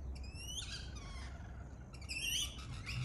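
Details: Native Australian lorikeet parrot calling with a pair of strident, buzzy screeches, each made of stacked harsh tones with slight upward inflections, separated by a brief quieter pause over a low rumble.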